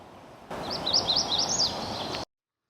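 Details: A male Magnolia Warbler singing from an exposed perch in Sax-Zim Bog, northern Minnesota, on a May 14 spring field trip: a brief, high song of four or five quick, slurred two-part notes, 'weedy weedy weedy', over a soft hiss.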